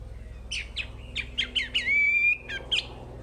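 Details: Short wambi phrase: several crisp, sharp notes followed by a sustained, level whistle and two final quick chips, all clear and bright.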